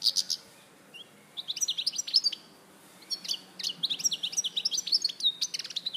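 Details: European goldfinch from Larache, Morocco, recorded in 2014: bursts of rapid high twittering notes with clicks and short slurred whistles, separated by brief pauses.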